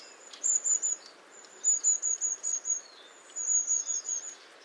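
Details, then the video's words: A long-tailed tit (Aegithalos caudatus) gives very high, thin 'see-see-see' calls in three quick bursts of four to seven notes, over faint background hiss. "Голоса птиц. Длиннохвостая синица (Ополовник)"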